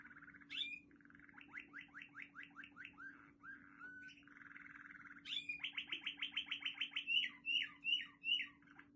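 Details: Waterslager canary from Quetta in full song, with a held tone and a run of quick, slurred downward notes. Gurgling rolls follow, then a louder series of rising-and-falling chirps, with a faint steady hum beneath.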